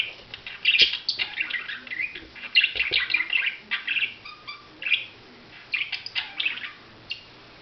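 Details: Budgerigar chatter: a rapid run of sharp chirps, clicks and scratchy warbles, loud at first, then thinning to scattered notes toward the end.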